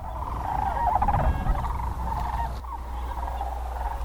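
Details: Large flock of sandhill cranes, about 75 growing to a thousand or more, circling high overhead on rising thermals in spring over a farm. They give overlapping rolling, rattling bugles in a steady mid-pitched chorus over low wind rumble.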